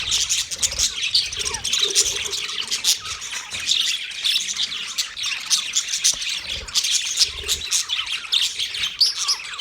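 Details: A colony of 30 pairs of budgerigars chirping together: dense, continuous high-pitched chatter of overlapping warbles, squawks and tweets with no pauses, plus faint low cooing notes in places.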